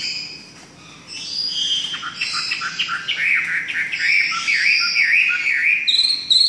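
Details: Chinese hwamei from southern China, males noted for strong singing and mimicry; after a quiet start, a dense run of varied whistles, rolling slurred notes and chirps builds steadily in loudness.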